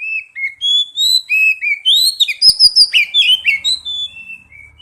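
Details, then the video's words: Oriental magpie-robin singing loudly as a prompting lure for an untrained bird. A rapid stream of varied whistles, chirps and slurred notes rises to a busy, energetic climax, with a few sharp clicks and a faint low hum near the end. "Pancingan kacer bahan dan terapi bunyi | cepat bunyi respon"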